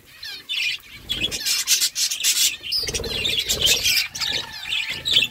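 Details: Budgies chirping while eating food: quick twittering warbles and squeaks come in bursts between harsh scraping and rustling sounds of feeding.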